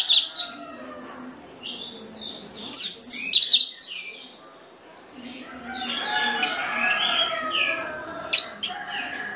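Orange-headed thrush pouring out varied, rich whistled phrases and sharp chirps in quick bursts, with a faint low hum underneath.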